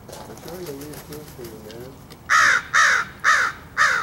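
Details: A person talks to a crow they are feeding; then the bird bursts into four loud, raspy caws in quick succession, cawing at something.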